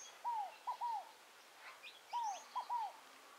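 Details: Scaled dove (Columbina squammata) singing in the wild at Tupi Paulista, São Paulo, Brazil: a soft, hollow three-note phrase of a long falling coo, a short note, then another falling coo, repeated twice. Faint chirps from other birds behind.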